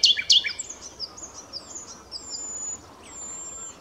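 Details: Song of a common nightingale: two loud sharp notes open the phrase, then high, thin, soft notes and long drawn whistles that fade away.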